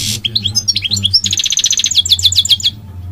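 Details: Song of a migratory goldfinch: bright rising chirps run into a dense, buzzy, rattling trill of rapidly repeated notes lasting over a second, high and ringing, against a low steady hum.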